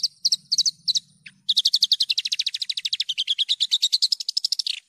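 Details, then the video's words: An actively singing Javan bush lark, recorded cleanly for training other birds: a few separated chirp pairs, then a long accelerating series of rapid, rhythmic notes gently rising and falling, ending with a drooping slur; faint low murmur at first. "PANCINGAN/MASTERAN JERNIH BRANJANGAN GACOR...."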